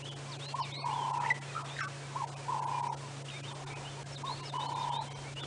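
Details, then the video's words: Turtle dove calling from the top of a dead tree at dawn during a safari drive, throat distending, a bit far away: a low, hoarse phrase, short note then drawn-out, repeated about every two seconds over engine hum and faint chirps of other birds. "Oh, we've actually got a turtle dove up here behind us calling away."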